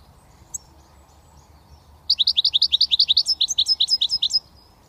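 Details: A young European goldfinch from Britain, only beginning to whistle, gives a quick run of high, liquid twittering notes, about twenty in two seconds, after a quiet start with soft hum underneath.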